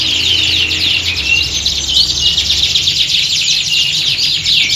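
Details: Many canaries sing at once in a simulated contest atmosphere meant to build competitive spirit; shrill, unbroken twittering and buzzy trills fill the whole stretch over a faint low drone.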